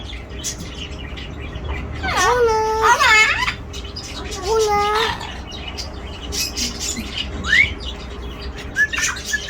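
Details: Pet parrot talking: two drawn-out, voice-like harmonic phrases, then short rising whistles, with room noise and faint background sounds between utterances.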